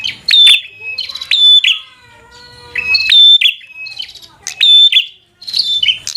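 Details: Bar-winged prinia singing vigorously in fighter style to provoke a rival: loud, sharp chirps with bright ringing tones in quick bursts, short pauses between, and a faint lower whistled series midway.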